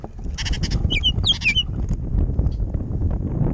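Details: Baltimore orioles bickering over food at a jelly feeder on a windy day: a few short, sharp whistled and slurred notes in quick succession early on, then steady low wind rumble.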